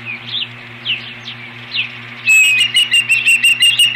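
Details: Osprey guarding its nest against an intruder on 21 April 2015. Scattered high chirps give way to a loud, fast series of sharp whistled notes, about six in under two seconds, with a constant low hum behind.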